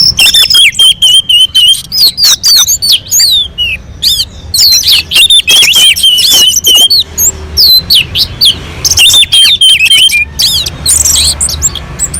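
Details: Orange-headed thrush on a mountain slope in sweet, nonstop song used to provoke other birds into singing: repeated clear level whistles mixed with sharp high chips and quick slurred phrases, delivered in long, dense bursts.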